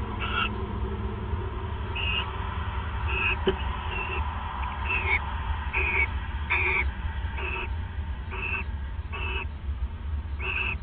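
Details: Owls bonding at the nest after midnight on December 29, 2014; a quieter series of brief raspy chirrups, about a dozen at uneven intervals, half-buried in a steady low hum and faint background noise.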